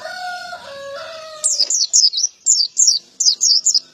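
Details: A rooster crows in the background before a male pleci white-eye breaks into sharp, high, evenly spaced chirps, about eight notes in two seconds, in its gacor ngalas ngeplong style.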